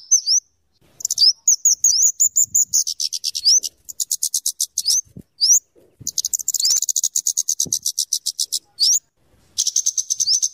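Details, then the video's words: Scarlet-headed flowerpecker song used for luring and tutoring birds: long runs of dense, fast ticking notes broken by sharp rising whistles, nearly continuous with brief gaps. "suara burung kemade atau cabe cabean gacor cocok untuk pikat dan Masteran"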